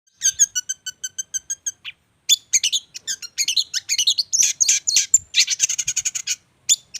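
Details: Caged contest songbird, described as a regular champion, singing in full voice: rapid evenly spaced high chips, then a dense jumble of trills, squeaky whistles and fast twittering phrases with brief pauses.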